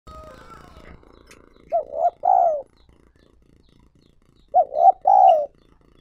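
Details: Spotted dove used as a lure bird to call in wild doves; two phrases of short looping coos ending in a longer descending note, about three seconds apart, after a faint noisy start.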